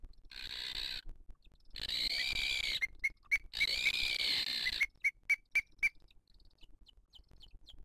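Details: Booted eagle at the nest in 2023, female feeding her chick amid attacks by other birds; after loud rushing noise, about a dozen clipped high whistled notes repeat evenly, roughly four per second, then fade to faint higher peeps.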